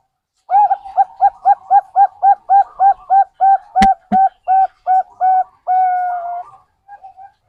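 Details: Zebra dove of Bangkok stock, used to prompt other birds to call: around sixteen crisp, clipped notes at a steady pace, then a long held note and faint trailing sounds, with two sharp clicks midway.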